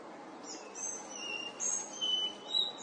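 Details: Collared flycatcher song: a quick run of high, drawn-out whistles that alternate between very high and slightly lower pitches, each note clean and thin, over faint background hiss.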